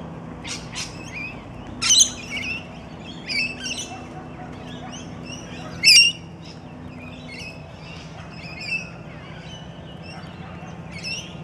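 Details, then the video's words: A pair of long-billed corellas left behind after their flock departed, at the Maribyrnong River, give harsh, screechy squawks at irregular intervals, two louder than the rest, over a steady low background hum. "Long billed corella"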